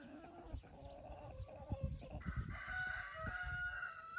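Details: Rooster crowing in the evening among hens scratching in golden light; a drawn-out, harmonically rich crow rises in the second half over soft rustling and scratching noises.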